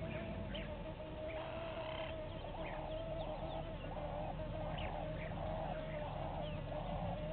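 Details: Red-billed hornbill pair at a waterhole in Djuma Game Reserve, Sabi Sand, South Africa, afternoon: a series of hollow clucking notes at steady intervals, with faint high chirps from other birds and constant low background hum.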